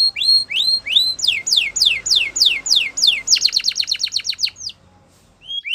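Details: Canary song for training: several rising whistled notes, then a run of downward-sweeping slurred notes, then a fast rapid trill of short descending notes near four per second speeding up, ending after a brief pause with another rising note.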